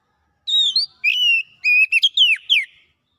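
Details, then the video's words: Oriental magpie-robin in energetic song full of mimicked phrases: wavering whistle opening, then level whistled notes, a brief double flick, and two sharply falling slurred whistles to close. "KACER MALAS BUNYI NYAUT GACOR BONGKAR ISIAN"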